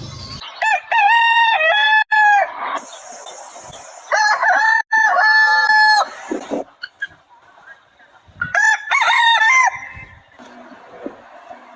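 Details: Several crows from farm roosters in quick succession, harsh stepped cock-a-doodle-doo phrases with short breaks between bursts, plus a brief buzzy tone and quieter gaps.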